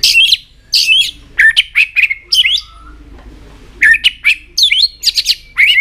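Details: White-rumped shama singing with tail flicks to spur other shamas: loud, harsh, chattering notes mixed with short slurred whistles, delivered in two dense bursts separated by a quiet pause.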